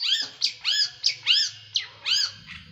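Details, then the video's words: Small bird's sharp, harsh training song for caged birds: loud arched notes with rich overtones, repeated roughly every third of a second, over a faint low hum. "Masteran burung kecil nembak"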